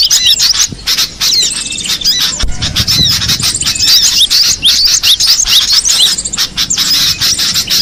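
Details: Wild cinereous tit: a busy stream of sharp, high chirps and quick upslurred whistles, many overlapping notes throughout, with a brief low thump near the middle.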